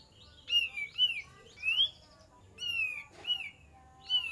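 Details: Kapas tembak song used to bait a response. Rising and falling whistled notes come in separated groups: three quick phrases, a gap, then two more and a final short whistle.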